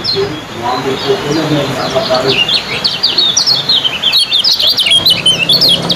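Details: Contest lemon-bellied white-eye in fast ciak style: a long unbroken stream of thin, high chirps, quickening toward the end, while voices murmur faintly at first.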